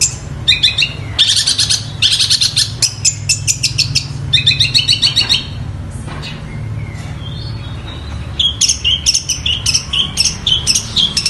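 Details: Long-tailed shrike singing vigorously, copying sparrow squabbles and Tengkek Buto calls: dense rattling chatter bursts, a thin whistled glide midway, then fast, high, repeated chip notes, over a low droning background.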